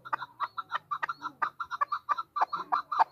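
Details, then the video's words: Chukar partridge hen calling with a steady series of short clucking notes, some sharper accented chucks mixed in, repeated several times a second. "chakor ki awaz"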